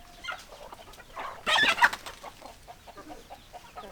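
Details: Hens and roosters in a flock; a loud, harsh burst of squawking cackles mid-way rises above steady, irregular clucking from several birds.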